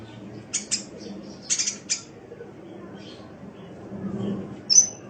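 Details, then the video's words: High-pitched sunbird calls made for training pet birds: a few rapid scratchy, clicking chirps in pairs, then one bright rising whistle near the end, with low background noise. "Masteran Suara Burung Kolibri"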